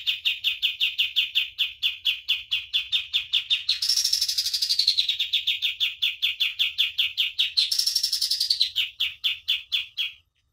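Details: Common iora master song for training birds: a steady stream of crisp, high chirps, overlaid twice by rising, buzzy bursts before the rhythm resumes and ends.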